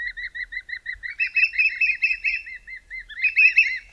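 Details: Two spotted thick-knees call together at dusk in midwinter in South Africa's southern Karoo, loud, mournful whistles in a quick run of repeated piping notes that overlap and swell, with no other clear sounds.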